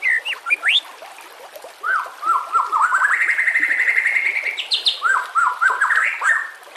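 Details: White-rumped shama song used for training caged birds, with nature sounds and trickling water; quick rising chips, a sustained rattling trill, then repeated short rising notes.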